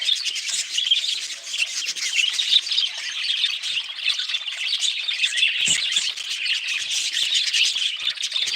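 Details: Long stretch of budgerigars chattering nonstop, rapid overlapping tweets and buzzy warbles, with a soft low thump near the middle.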